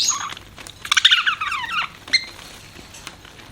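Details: Pet budgerigar giving a high whistle, then a second-long burst of buzzy, falling warble, followed by a few faint chirps in a quiet room.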